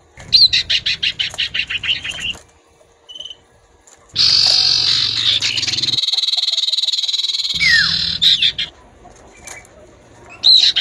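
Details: Common iora male trading song with a chattering female: a rapid series of harsh notes, a pause, then a long loud buzzing chatter with a down-slurred whistle near its end.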